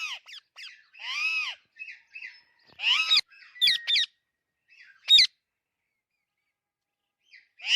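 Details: Alexandrine parakeet giving loud, harsh, arched squawks in short bursts, with higher chattering notes and long silent gaps between calls.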